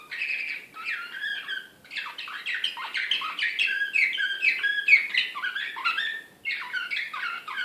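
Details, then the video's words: An excited Serbian Slavujar canary from Belgrade, 2016, sings continuous bright phrases of fast chirps, rising and falling slurs and buzzy trills, pausing briefly near two and six seconds before resuming. "SLAVUJAR SRPSKI BEOGRAD 2016"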